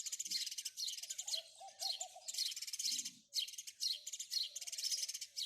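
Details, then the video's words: House sparrows chirp rapidly and noisily in tight bursts of harsh, high notes, a faint low coo and a soft thud heard briefly among them. "house sparrow chirping"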